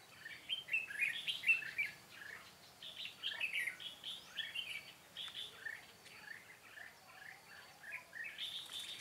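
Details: Red-whiskered bulbul, a decoy bird singing to lure wild birds during trapping with a butterfly-wing trap, 13 March 2017. Bright, chattering warbled phrases, rising and falling, follow one another rapidly throughout, with a faint insect hum underneath.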